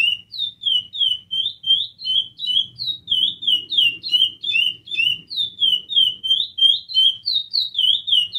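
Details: Steady stream of sweet whistled notes from a chestnut-bellied seed finch, each note gliding down in pitch, repeated about three times a second with little pause; soft low-pitched murmur in the background.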